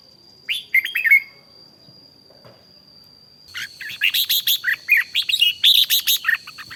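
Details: Red-whiskered bulbul (chào mào) in morning voice training: one warbled phrase, a quiet gap, then a fast, fiery run of sharp chirps at about four per second, with a steady high whine behind.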